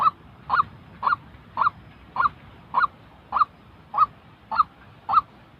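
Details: Real white-breasted waterhen call meant to get newly moulted decoy birds calling: ten punchy, nasal notes in a regular rhythm, nearly two per second, on a quiet background.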